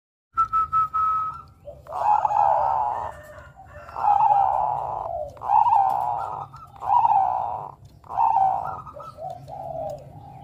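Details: Bangkok-type zebra dove, a young male singing actively, used as a lure to draw other doves into song: a clear opening whistle, then blurred, repeated cooing phrases about every one and a half seconds over a low hum.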